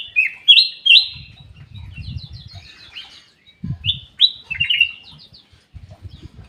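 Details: Black-capped bulbul in an aviary giving two loud whistled phrases, bright upslurred notes dropping into rapid warbles, separated by a soft fluttering and rustling passage. Light twittering from other birds runs beneath.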